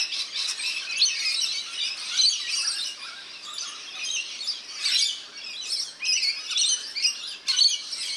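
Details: Rainbow lorikeets at a backyard birdbath in NSW, Australia, during bath time; a noisy group of piercing screeches and squeaky chirps, pulsing in louder bursts every second or so.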